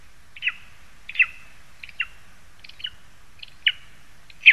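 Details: Lesser spotted eagle in a spruce in Zemgale, Latvia, on 22 August 2021, giving short, high, yelping notes that drop sharply in pitch, repeated about every second with faint low background rumble.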